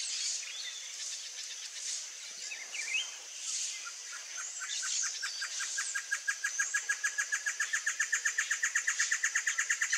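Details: Blue-crowned trogon giving a fast series of short, evenly spaced hollow notes, about four per second, starting midway and running to the end, over a steady high insect drone and faint chirps from other birds.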